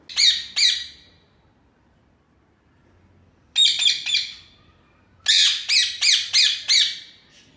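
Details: Pet ring-necked parakeets let out of their cage indoors give loud, harsh squawks: two at the start, then a burst of four, then a rapid run of five or six, each with a hoarse, ringing tone.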